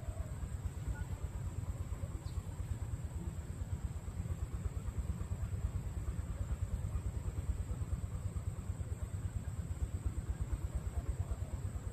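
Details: Only a steady low engine-like rumble with a faint high electronic whine; no animal voice stands out.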